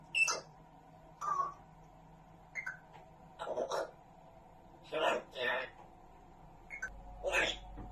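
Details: An African grey parrot, known for swearing, talks in short, raspy word-like bursts, about eight in eight seconds, some with squeaky high edges, over a steady indoor hum.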